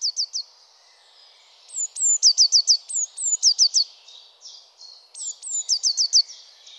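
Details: Eurasian blue tit, recorded among French garden birds, repeats a phrase of thin, high sliding notes and short bright trills roughly every one and a half seconds over faint background hiss.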